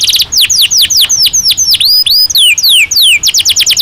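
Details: Caged canary in breeding season sings a lively mix of rapid falling whistles, upswept notes and quick trills, loud and nearly continuous.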